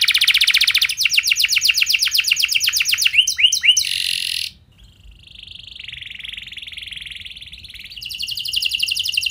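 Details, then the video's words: Canary lure song in an elaborate, long-burst style for prompting other birds to sing: a loud rasping high trill, a rapid pulsed roll with a few sweeps, a brief pause, then a softer buzzing roll rising in loudness again. "Pasti Nyaut Gacor Do00r Dengan Pancingan Kenari Cengkok Mewah Nembak Panjang Ini"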